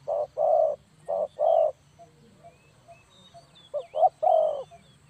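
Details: Spotted dove call for luring birds into a trap. Two quick pairs of mellow coos, a short pause, then a phrase of short clipped notes ending in a long drawn-out coo, with thin bird chirps in the background.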